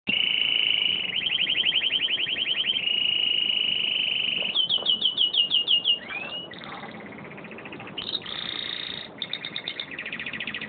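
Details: Male canary, kept as one of a pair, singing: long rolling trills and rapid repeated syllables, steady warbled tones, a rising slur near six seconds, then clipped chattering phrases, loud and continuous.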